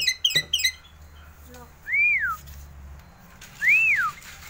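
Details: A hand-tame Javan myna in Bali, raised from a chick and learning to imitate human voice, perches on a hand and gives a quick run of harsh, stacked chattering notes, then two clear, arched whistles about two seconds apart.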